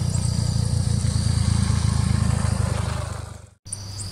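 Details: A motor engine rumbles steadily at low pitch with a fast pulsing throb, fading briefly before a short cut and resuming, with no animal voice heard.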